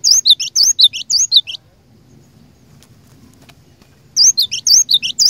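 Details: A lure cinereous tit sings to goad other tits into answering: bright paired whistles, the first high and dipping, the second lower, repeated rhythmically in two bursts with a quiet stretch between them.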